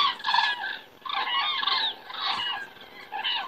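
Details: Common cranes in flight over Estonia on a September evening in 2017; three or four bursts of loud, rolling bugling from several birds at once.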